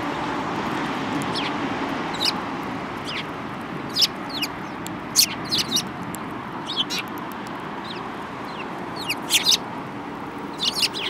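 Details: Eurasian tree sparrows, several birds including a yellow-beaked one, recorded 7 March 2018: scattered short high chirps, some in quick pairs, over a steady broad background hiss.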